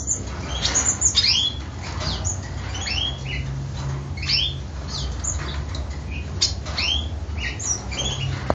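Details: A pair of black-headed siskins in a breeding cage; rapid, high twittering with rising and falling slurred notes and short chips, nearly continuous, over a steady low hum.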